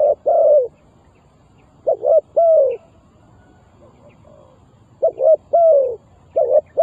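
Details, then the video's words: Decoy spotted dove calling to lure wild doves for trapping. Two separate cooing phrases break a quiet pause. Each is a short double coo followed by a longer, sliding, mellow coo and a final pair of low notes. "Suara Terkukur Pikat Tua"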